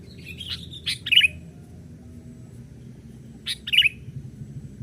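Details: Lure call of a young sooty-headed bulbul moving about a branch to draw wild birds: two bursts of sharp chirps, each a few clipped notes ending in a bright slurred twitter, about two and a half seconds apart, with low rumble beneath.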